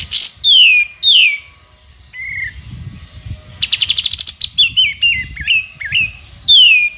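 A sooty-headed bulbul sings loud, bright, down-slurred whistles, a quick buzzy rattle of ticking notes, then stepped chirps, with no other sound behind it.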